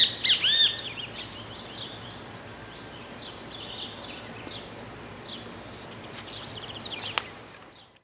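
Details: Great kiskadee singing in the wild in the rural area of Pirenópolis, Goiás, Brazil: one loud, harsh, arched call near the start, then a dense background of faint, high, rapid chirps from other birds across the rest of the recording.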